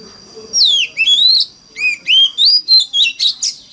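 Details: Song of an Oriental magpie-robin in the mountain-forest voice, used as a lure to get other magpie-robins singing. It contains sweeping downslurred whistles and a short pause, then a rhythmic series of about seven rising and falling notes over a thin steady high tone.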